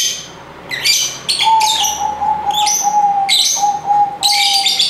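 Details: Shrill, scratchy lovebird squawks arrive in quick succession while a steady, level mid-pitched tone hums continuously underneath from the second half onward.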